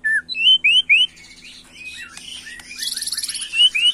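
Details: Agitated young white-rumped shama singing in the macul style: three loud rising whistles, softer slurred notes, then a fast buzzy trill and two more rising whistles.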